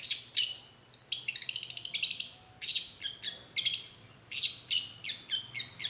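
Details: Cendet, the long-tailed shrike, singing a lively lure song meant to prompt an answer: a rapid stream of high chips, a quick stuttering trill, and clipped whistled notes packed closely together.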